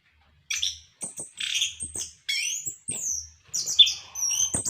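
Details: Orange-headed thrush singing to prompt captive birds into song: high, thin whistles and scratchy chattering notes in short runs, with brief gaps between them and faint low thumps in the background.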